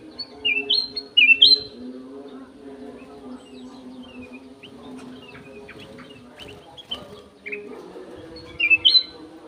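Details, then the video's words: Golden-fronted leafbird in an aviary singing clearly: a loud phrase of three quick whistled slurs at the start, soft twittering in the middle, and the same whistled phrase repeated near the end, over a low steady hum. "BURUNG CUCAK EMAS SUARA JERNIH"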